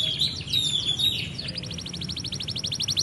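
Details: Canary in full song, used as tutor material for young canaries; a thin whistle opens, then fast buzzy chirp phrases and a long run of rapid repeated high notes, steady low background hum.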